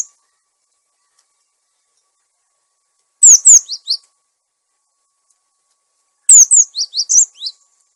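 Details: Cinereous tit, recorded as a bird lure and tutor for caged birds gone quiet: two quick phrases of high, thin, down-slurred chirps about three seconds apart, otherwise silent.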